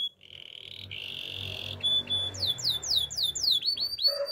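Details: Belgian canary singing: steady high whistled notes held nearly a second each, then a quick run of about eight bright, downward-slurred whistles, ending in shorter mixed notes and a brief lower tone, over a faint low hum.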